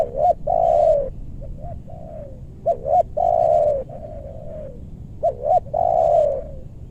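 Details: In a meranti forest in west Bogor, Indonesia, a spotted dove coos while luring wild doves down. Phrases come in threes, each with a hiccuping double note, a strong long falling coo, then a weaker tail note.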